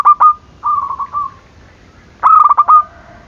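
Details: Zebra dove calling to provoke rivals; a staccato pair of notes and a rolling coo, then a loud stuttering trilled phrase.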